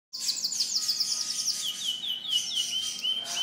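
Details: Caged canaries singing in a bird shop on 5 May 2011: a rapid trill of high, downward-sweeping notes that slows into spaced, descending slurs near the end.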